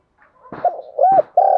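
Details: Fighting call of a spotted dove: soft hooting coo notes building to a long, steady final coo, broken by sharp clicking knocks.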